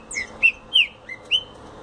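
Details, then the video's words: Green-winged saltator giving a fast song: four clear whistled notes, slurred and slightly falling, spaced about a third of a second apart, over a quiet background. "Trinca Ferro Explosão 💥 rápido"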